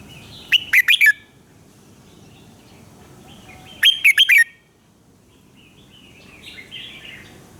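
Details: A red-whiskered bulbul's morning song, used as a training voice: two lively phrases of four quick swooping whistles about three seconds apart, then softer distant chirping.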